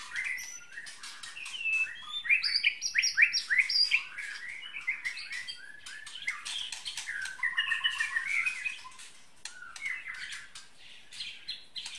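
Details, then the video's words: White-rumped shama of the Bahorok type with a 33 cm tail, singing a rich, varied run of clear whistles and quick warbled notes. Phrases shift between low and high pitches, with bursts of rapid chattering and short pauses between them. "MURAI BATU BAHOROK"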